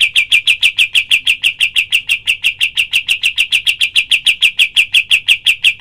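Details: Cream-vented bulbul's 'tembakan' call for other birds to learn: a steady rattle of identical sharp chirps repeating roughly three times a second throughout, clean and loud.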